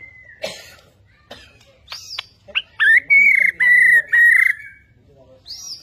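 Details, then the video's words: Borneo white-rumped shama kept in a cage, actively displaying, giving scattered sharp notes, then three loud sustained buzzy whistled phrases in a row, with a high slurred note at the end. "Burung Murai Borneo beraksi gaya mempesona"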